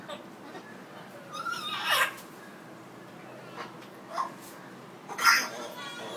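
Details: An African grey parrot, talking after its bath, gives three short, speech-like utterances and squawky bursts, spaced a second or two apart, in a quiet indoor room.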